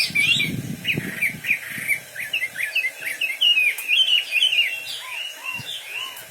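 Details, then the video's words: Wambi bird pours out a busy series of short twisting whistled notes, then a few softer lower slurred calls at the close. "Burung wambi istimewa gacor full"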